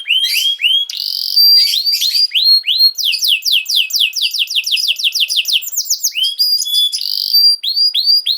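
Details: Varied canary song for tutoring young canaries: whistled upslurred notes, a quick rattling series of repeated notes in the middle, and clear level whistles.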